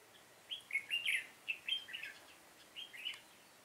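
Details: Caged Red-whiskered bulbul decoy singing fighting song to lure wild birds, 7 September 2018: a lively run of loud, bright warbled and chirping notes, rising and falling, ending in a shorter warbled pair.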